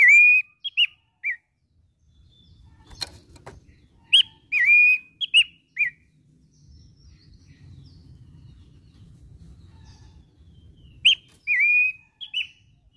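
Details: Abbott's babbler (pelanduk semak), described as a unique bird singing vigorously as if in hillside scrub: clear whistled phrases of slurred and level notes in three bursts separated by pauses, one sharp click burst, low background rumble.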